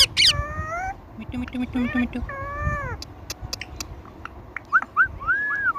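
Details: Talking Indian ringneck parakeet gives a busy string of sounds: a sharp burst, several drawn-out harmonic syllables that dip and rise, low buzzy pulses, scattered clicks, and finally quick upswept whistles and an arched note.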